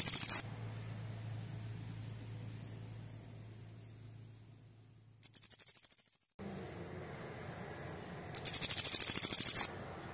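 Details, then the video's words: Bananaquit aggressive song meant to fire up other birds, heard as several short bursts of rapid, very high ticking notes separated by quiet gaps, with a steady thin whine behind. "Sibite 🔥 CANTO AGRESSIVO PARA ESQUENTA SEU SIBITE"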